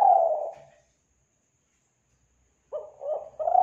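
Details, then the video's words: Spotted dove (tekukur) call from Kelantan, used as a lure for doves: the tail of a low, hollow coo fades out, then after silence a new phrase begins with short stuttering coos leading into a longer note. "Pancingan Suara Burung Tekukur Kelantan"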